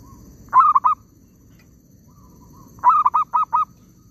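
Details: Zebra dove calling during bird trapping in an oil palm plantation: two bursts about two seconds apart, each a rising note followed by three or four quick, mellow, stuttering coos, over a low background rumble.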